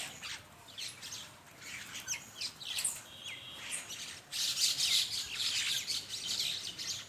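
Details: Common mynas gathered in a flock for morning feeding in Bangladesh give scratchy squawks and short chirps, sparse at first, then a denser, louder burst of overlapping harsh chatter in the second half.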